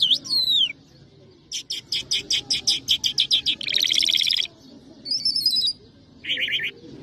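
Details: Singing lark called Mashadi jal (Irani or Afghani jal): a descending whistle, then a run of about ten evenly spaced buzzy notes merging into a dense trill, then brief high twittering phrases, with a faint low hum.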